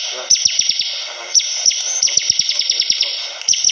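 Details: Bar-winged prinia in energetic song, clipped high falling notes in rapid irregular bursts with a brief gap, over a constant high-pitched hiss.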